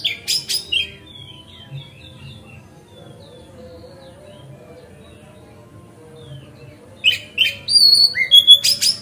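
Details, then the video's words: Magpie-robin lure song aimed at other magpie-robins: short bursts of loud, scratchy high chirps open and close the passage, with only faint distant twittering between them. "Pancingan Kacer Gacor Ngeplong Santai Bikin Buka Ekor Kacer Lain"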